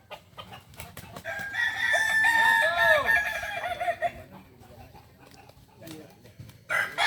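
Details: At a Sunday 8 September 2024 contest final in Ampang Kualo, Kota Solok, a kukuak balenggek rooster gives a loud tonal crow of several rising and falling syllables, then fades into quieter crowd noise and clicks.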